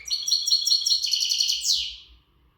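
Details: Readiness song of an untutored Gharb goldfinch: a quick rattling series of high, metallic twitters that speeds up and ends in a descending buzzy slur.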